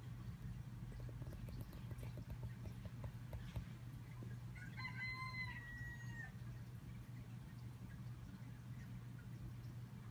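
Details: Chickens at feeding time; a single drawn-out, harmonic crow rises and holds briefly near the middle of the recording, lasting about a second and a half, over a steady low hum with scattered clicks and clatter earlier.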